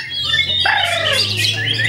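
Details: Kept white-rumped shama from Klaten, singing: bright whistled and chirping notes high in pitch, a sharp rising phrase midway, over a steady low hum.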